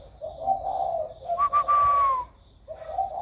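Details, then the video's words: Spotted dove, its voice newly come into a warm tone, recorded 16 February 2020: low, mellow coo notes with a brief gap, interrupted midway by a louder, higher sliding whistle. "Cu gáy mới nổi giọng ẤM"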